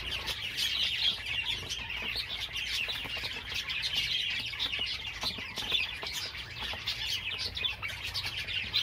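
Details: Java sparrow chorus: constant high, tinkling chatter of many birds, rapid chirps and clicks layered densely with small swells in loudness throughout.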